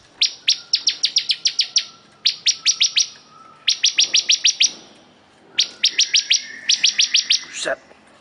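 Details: Bar-winged prinia, described as singing very actively, delivering quick runs of six to nine high, dry, clicking notes, burst after burst with brief gaps, ending in a short rising squeak.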